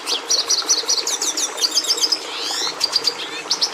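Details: Red siskin song: quick runs of sharp high chirps, then a series of clipped repeated notes and a buzzy descending phrase, ending in bright twitters over faint steady hum.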